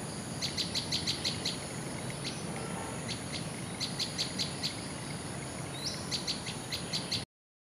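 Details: Common tailorbird (Orthotomus sutorius) at FMIPA UI, Indonesia, giving sharp, high chips in quick bursts of four to six; male and female tailorbirds answer each other with such chirps.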